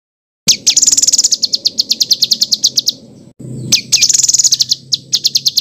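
A songbird gives a fast, harsh rolling song of rapid high chips and trills, two bursts of about three seconds and two seconds with a brief pause between.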